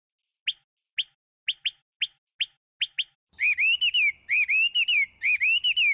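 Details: Chinese hwamei starting with sharp single chip notes every half second, then breaking into loud looping whistled song phrases with rising and falling slurs, faint low rumble in the background.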